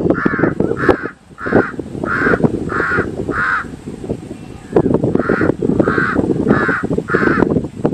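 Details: Crow cawing in a steady series: six harsh, even caws about half a second apart, a pause, then four more, over a constant low background rumble.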